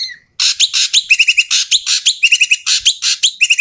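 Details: Noisy Asian pied starling calling loudly and harshly, a sound meant to lure silent starlings into song. Continuous raspy chatter, with clusters of quick ringing whistle notes slotted between the rough bursts.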